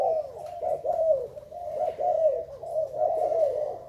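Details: Thai zebra dove dated 19 April 2019 giving a steady series of soft, purring, rippling coos, each short phrase flowing into the next at an even pace.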